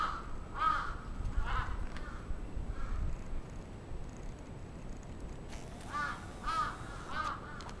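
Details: A crow during an attack in Atsubetsu Ward, Sapporo, Japan, on 27 June 2017: faint, hoarse caws given singly or in pairs with gaps, over a steady low rumble of background noise.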